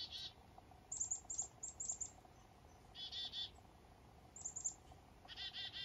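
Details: On a foggy morning up north, black-capped chickadees waking up give high, thin chip notes followed by bursts of harsh, buzzy 'dee' notes, repeated twice over a faint steady background hum.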